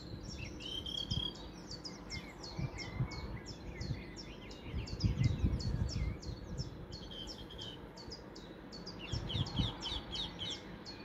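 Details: Song thrush in song at Weston village, 30 April 2023, delivering rapid series of short, sharp high notes repeated in runs, with brief pauses between phrases; constant low rumbling noise underneath.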